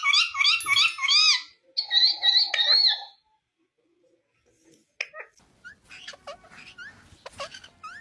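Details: Rose-ringed parakeet kept as a pet talking: loud wavering warbled mimicry phrases for three seconds, a pause, then a run of short rising squeaks and clicks.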